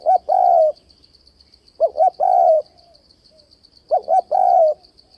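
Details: Trap-luring spotted dove in continuous switching-voice cooing: three phrases, each a pair of short notes and a long mellow coo, roughly every two seconds, with a steady high pulsing buzz in the background.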